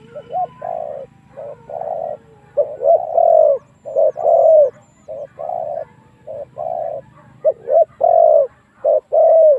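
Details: Spotted dove cooing as a lure for wild rivals to come and fight: uneven series of soft hollow coos, short and long notes mixed, with a low rumbling hum underneath.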